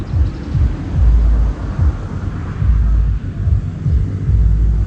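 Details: Loud, low engine rumble and hum that rises and falls, with no animal calls.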